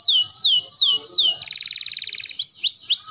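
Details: Canary training song for young birds: repeated loud descending whistles, then a dense rapid buzzing roll about a second long, ending with rising swept notes.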